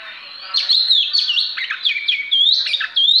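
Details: Oriental magpie-robin performing a showy song: loud, clear whistled phrases, each with rising and falling loops and brief chatters, delivered in quick succession.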